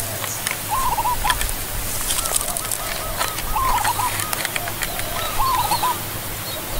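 Zebra dove giving short, rapid staccato trilled coos, three clear phrases a couple of seconds apart, over steady low hum and background noise.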